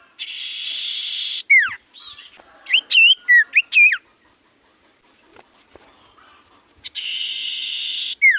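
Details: Common Iora (sirtu cipoh) singing actively, a cue meant to make silent ioras answer: buzzy harsh bursts open and close the phrase, between them quick looping whistled notes and down-slurred whistles, with a quiet gap in the middle.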